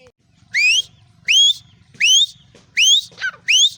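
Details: Female black francolin calling in a steady rhythm: five clear whistled notes, each sweeping upward, spaced roughly every seven-tenths of a second. A short downslurred note slips in near the end over a faint low hum.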